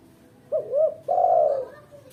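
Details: Female spotted dove cooing, intended as a lure for training: a quick short coo, a wavering second coo, then a long steady coo fading away, low and soft in a quiet setting.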